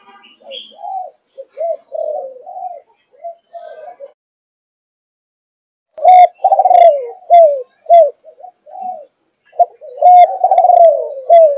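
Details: Quiet murmured coos from a five-and-a-half-month-old Malaysian-line spotted dove, then after a pause two loud thúc gù phrases, each ending in hooked, falling coos.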